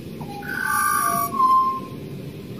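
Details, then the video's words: Wild Australian pied butcherbird singing: a few pure, flute-like whistled notes held at steady pitch, one long clear tone in the middle, over a low background hum. "Australian pied butcherbirds Excellent singer!"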